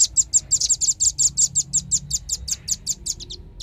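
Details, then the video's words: Loud, clear velvet-fronted nuthatch calling on a lure recording used to attract birds: an unbroken rapid series of over twenty shrill, clipped high notes, slightly uneven in spacing, trailing off at the end. "suara pikat burung rambatan ribut suara jernih"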